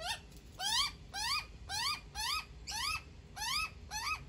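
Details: Baby magpie being fed by its mother, calling steadily: a nasal, harmonic wail that rises then drops, about seven calls repeated roughly every half second, each strong and evenly spaced against a quiet background.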